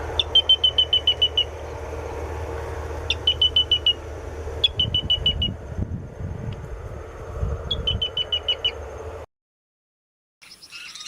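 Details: Grey-breasted crake (Laterallus exilis), song.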